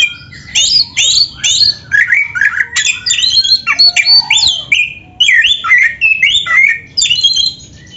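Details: Oriental magpie-robin singing an energetic, phrase-filled song: loud whistled notes, harsh squawky bursts and twisting slurs in quick, tightly spaced phrases, with only brief pauses.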